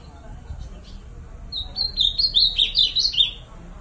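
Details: Bico de aço style singing by an ultramarine grosbeak: after quiet hiss, a rhythmic phrase of about eight clear, high, warbling notes rising and falling, then silence.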